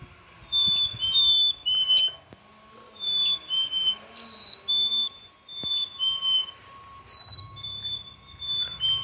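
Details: Black-capped chickadee repeating clear two-note whistles, high then lower, about every second and a half, interspersed with sharp clicks and faint hum.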